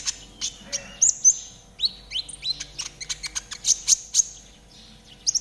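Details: Spotted konin, a caged songbird, sung as training material: rapid sharp high chirps and short whistled notes, some rising and some dropping, in an uneven burst of about five seconds.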